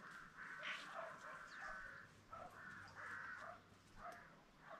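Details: Several peafowl on a farm with green and Spalding birds call almost continuously, with overlapping harsh, honking wails and steady low background noise.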